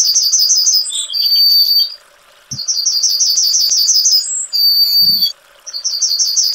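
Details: Repeated songs of a Yellowhammer (Emberiza citrinella). Each begins with a rapid string of sharp, high notes and closes on a long sustained tone, with brief pauses between songs and a thin high whistle overlapping.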